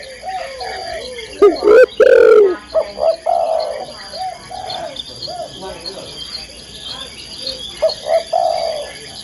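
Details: Spotted dove, a female calling a male. A couple of loud low coos come early, then scattered softer cooing notes over a faint background.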